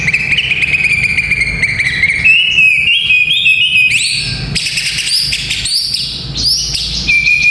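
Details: White-rumped shama song played to train young fighter males: clear whistled notes held steady, then stepping up and down in short high phrases, with a faint low hum beneath.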